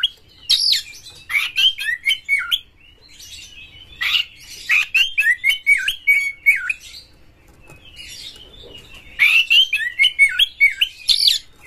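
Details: Oriental magpie-robin performing harsh-material lure song to make other birds sing: three bursts of fast chattering and descending whistled slurs mixed with raspy notes, separated by short quiet spells.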